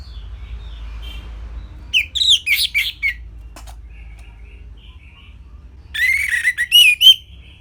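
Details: Anis merah, or orange-headed thrush, delivering an easy-to-copy tutor song: near-silence, then a fast cluster of warbled, slurred whistles, a quiet gap with faint notes, and a final bright burst of looping phrases.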